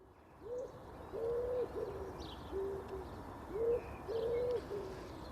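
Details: Wood pigeon on a farm in the UK, an agricultural pest, giving its soft, husky cooing, low hoarse phrases repeated in a steady rhythm with a faint rustle of background noise.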